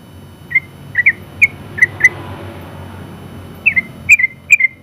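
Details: Sooty-headed bulbul, a contest champion, giving scattered short whistled notes in small clusters, with a long gap in the middle. A noisy low rumble fills the background.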